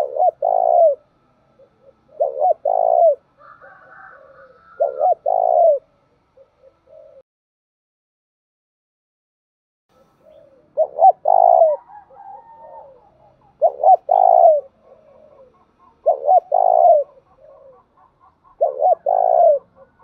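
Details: Spotted dove; cooing call; decoy bird calling to provoke wild doves to respond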